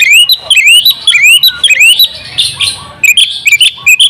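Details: A champion oriental magpie-robin sings in the energetic ngobra style, full of fill phrases, as a tutor recording. It gives a fast run of rising whistled upslurs, then a brief noisy rasping passage, then short clear notes.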